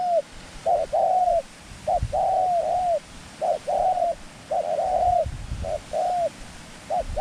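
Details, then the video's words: Trapping decoy dove with a small voice calling to lure wild doves; repeated arched coos, each preceded by a brief lead-in note, run almost without pause, with faint rustling in the background. "จ้าวเต็งหนึ่ง+เสียงนก จัดเชลย มงคล เล็บขาว เสียงเล็ก"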